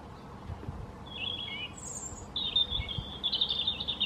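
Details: European robin (Erithacus rubecula), song.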